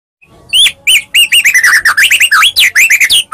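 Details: White-rumped shama of the Medan type, singing as a fighting lure to provoke other shamas to reply: a rapid run of loud, sharply inflected whistled notes with high overtones, each slurring up or down, tightly packed after a quiet start.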